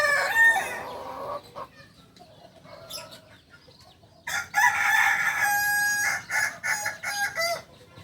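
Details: Kukuak Balenggek chicken from Solok, West Sumatra, a singing village breed famous for its tiered crow; a first crow lasts over a second, a quieter stretch follows, then a long crow broken into about six stepped segments with brief pauses.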